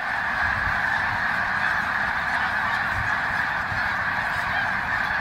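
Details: Winter gathering of thousands of snow geese at Green Lane Park, Pennsylvania, USA, February 23, 2019: loud, steady wall of overlapping honking calls, hundreds of birds calling at once without pause.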